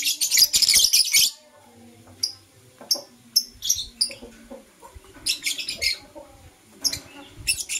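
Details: Lovebirds, blue opaline and parblue euwing opaline, chirp busily in the morning: a long, dense opening burst of high, grating notes, followed by short sharp chirps repeating irregularly, roughly three per second at times.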